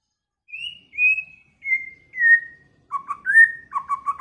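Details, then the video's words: White-rumped shama singing early in the season: four clear drawn-out whistles, each a step lower than the last, followed by quicker lower warbling notes and a short rising whistle, in a quiet setting. "chòe lửa hót,chòe lửa chuyền mùa đầu"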